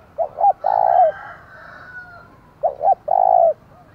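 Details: Decoy spotted dove played to rouse rivals: two clipped coos followed by a longer droning coo, the phrase repeated twice, clear and loud with faint background hum.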